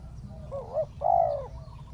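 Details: Single cooing phrase from a spotted dove used on the ground to lure a wild dove: a wobbling double note, then a loud, sustained low coo fading out, over quiet low hum.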